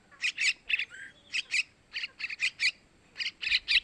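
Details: Sooty-headed bulbul chicks begging, used as a lure for male birds: harsh, raspy chirps in pairs and triplets, repeated in short bursts about once a second, with a brief lower whistle near the start.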